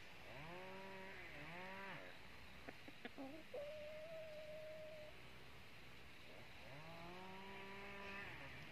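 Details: Decoy red-eared red junglefowl used in trapping, crowing to lure a wild rival: two harmonic-rich crows about two seconds long, each rising, dipping and rising again, separated by a long steady whistle-like tone and a few clicks.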